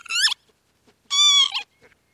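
Two wheezy, mewing calls from a northern lapwing: a short slurred note, then a longer nasal one with a twist at the end. The background is quiet.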